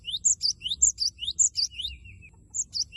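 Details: Loud, persistent cinereous tit (gelatik batu) in gacor singing, a lure meant to provoke a rival into singing: high sharp 'wucit wucit' notes in quick descending pairs, repeated rapidly, with one thinner lower trill near the end.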